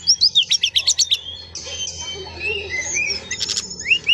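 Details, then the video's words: Male Brown-chested jungle flycatcher singing a long roll: a fast series of about ten sharp high chirps, then softer warbled whistles and a final burst of buzzy trill and rising slurs. "KUMPULAN BURUNG SIKATAN RIMBA DADA COKLAT NGEROOLL PANJAAAANG...!!!!"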